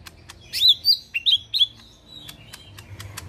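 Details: Caged Lesser green leafbird (mini) in full 'tembakan kasar' rough-burst singing: quick slurred whistled notes, some rising, some falling, in a short burst with sharp clicking taps before and after.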